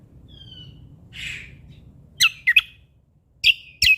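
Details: Sumatran leafbird from Lombok: a thin, falling whistle, a soft breathy note, then sharp doubled chips followed by two more ringing chirps.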